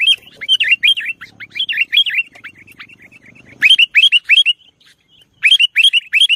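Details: Sooty-headed bulbul in full 'nggaruda' song, rapid curling chirps and warbles running together, then loud clipped notes in tight series of four or five, separated by short silences, with soft low rumble behind.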